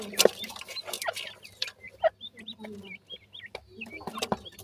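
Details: Grey francolin chicks calling with clear, high, down-slurred peeps repeated at short irregular intervals, some paired, after a burst of sharp clicks and knocks at the start, with a low steady hum in the background.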